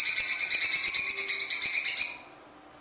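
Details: Cucak cungkok, a songbird in full harsh song: a dense buzzy rattling trill, high and rasping with stacked overtones, held steady for over two seconds and then fading out.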